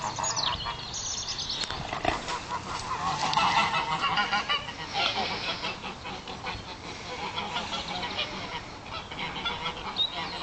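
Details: A few geese disturbed by a horse, recorded on a phone: overlapping harsh honks and cackles come in irregular bursts throughout, loudest around three to four seconds, amid broadband outdoor noise and some higher whistled sweeps early on.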